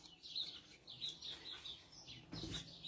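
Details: Several sparrows chirp busily outside in a parking lot, sounding like a bird fight, overlapping in a rapid run of bright, high, clipped notes with no pause; a brief rustle cuts in near the end.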